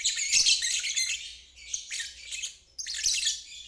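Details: Lovebird ngeriwik for stalled birds and young birds to learn from; three bursts of very high, rasping chattering trill separated by short dips, the last starting abruptly.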